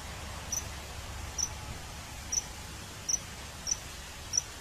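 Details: A common kingfisher hunting fish repeats a sharp, high, piercing note six times at slightly irregular intervals of under a second, with steady low background rumble throughout.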